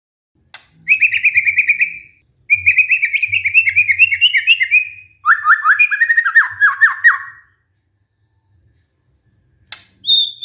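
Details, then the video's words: Song of a white-rumped shama, used as a lure to get a stressed bird singing again. Three bursts of rapid chattering, trilled notes, each lasting one to two seconds and falling slightly in pitch. After a long silence, a short high whistle. "pancingan murai batu macet bunyi karena stres"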